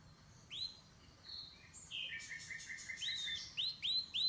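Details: Quiet canary chirping: scattered upslurred whistles and a short descending string of notes, ending in three bright rising whistles, against soft background noise.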